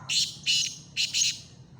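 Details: Black francolin (kala teetar) calling near Khushab: four loud, harsh, grating high notes, grouped as two pairs with a short gap between them, over a low background hum.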